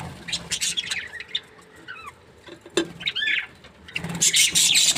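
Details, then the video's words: Happy breeding pair of budgerigars chattering: scattered sharp chirps and short curling warbled notes, a quieter middle stretch, then a loud burst of harsh high squawky chatter at the end. "Happy budgie chirping sounds 🦜| breeding pair"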